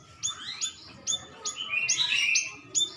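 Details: Cucak rawis bulbul call used as a lure to make birds answer: sharp high chirps at uneven intervals with a brief warbled phrase in the middle, over soft background hiss.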